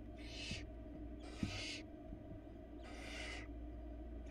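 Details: Barn owl chicks, four nestlings in a Florida nest box, begging while the female delivers a rabbit: three long rasping hisses about a second apart, separated by quiet steady camera hum and a faint knock.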